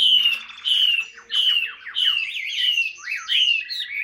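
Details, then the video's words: Caged Chinese hwamei singing in the ngũ trường cao cầu style: loud, rich whistled phrases sliding downward, then looping warbled notes and quick up-and-down twists, steady and forceful throughout. "HM 230 ngũ trường cao cầu"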